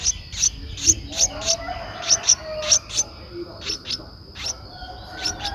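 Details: An 11-day-old Streak-eared Bulbul nestling, recorded 13 April 2023 in Ubon Ratchathani, Thailand, uttering irregular bursts of thin, high chirps, some doubled, fading softer toward the end, over a steady high background tone.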